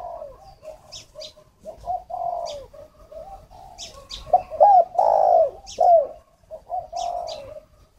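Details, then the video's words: Spotted dove kept as a decoy bird for luring, from a bird farm in Ba Vì district, Hanoi, Vietnam: soft, low, rounded coos in short repeated phrases, some swelling louder, with sharp high clicking chips between them. "Chim cu mồi"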